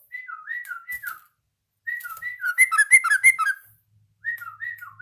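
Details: Yellow-vented bulbul learning its song: clear slurred whistles dipping between higher and lower notes come in short phrases, with a burst of bubbly, chattering notes in the middle, separated by brief silences.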